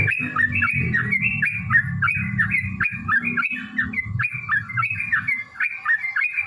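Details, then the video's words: Extended yellow-vented bulbul fighting song for provoking other bulbuls to sing, with bubbling, chattering whistled phrases running almost without pause over heavy low background rumble. "trucukan gacor TARUNG ROPEL PANJANG pancingan trucukan agar bunyi"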